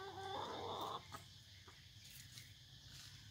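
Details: Decoy red junglefowl, an F1 bird from Vietnam, gives a single buzzy harmonic call lasting nearly a second at the start, followed by low hum and scattered ticks.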